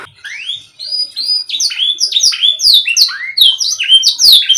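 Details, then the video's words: Canary song aimed at a canary that will not sing: soft rising whistles build into a dense stream of rapid, sharp, downward-sweeping notes. "KENARI MACET❓MALAS BUNYI⁉️ KASIHAN‼️Nih Kicau Paling Ampuh Dan Mewah"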